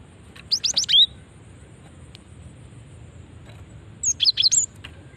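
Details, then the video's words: Female cinereous tit call for luring others of its kind; two bursts of rapid high chirps, the first ending in a falling whistle, roughly three seconds apart over soft background hiss. "Ampuh memancing bunyi gelatik batu betina ini"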